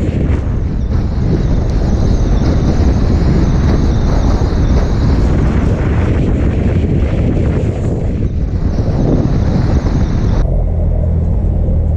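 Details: Heavy wind roars across the microphone over a constant low engine rumble. No barking, growling or other animal sounds come through.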